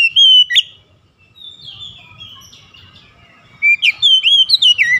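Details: Oriental magpie-robin, a kept bird played as therapy for a stressed bird: loud clear whistled phrases with sweeping and slurred notes around the start and again in a rapid varied run near the end, a quiet gap between.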